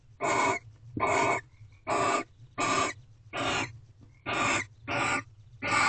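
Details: Barn owl pair at a corral nest box, sixth night of mating, 6 am on 24 February 2023: evenly repeated rasping screeches, eight in six seconds, with a constant low drone behind.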